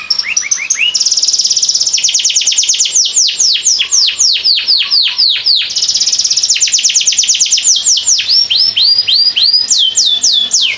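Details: Master canary of a Boyolali bird team, valued for songs over 40 seconds long; lively unbroken song of rapid falling whistles, fast rolls and occasional low rising notes.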